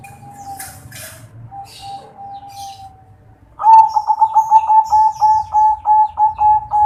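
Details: Kresing-style zebra dove song from local crossbred and Bangkok birds, meant to coax a silent dove: a soft drawn-out note with faint rustling, then a loud burst of quick, evenly spaced mellow coos repeated steadily to the end.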